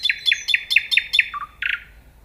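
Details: Singing nightingale delivering six evenly spaced, loud repeated notes about every quarter second, a lower pair of notes, then a short dry buzz.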